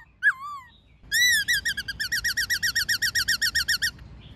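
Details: Laughingthrush (khướu bạc má) in wild-style, many-voiced song with a female present, used to train young caged birds: one looping whistled note, then a fast run of about sixteen bright, slurred whistles, evenly repeated several per second.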